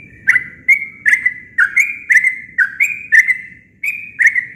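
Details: Sooty-headed bulbul singing a natural song with nothing mixed in: a run of about ten quick chirped notes, each dipping then flattening into a brief whistle, nearly one per second with a short pause before the last two.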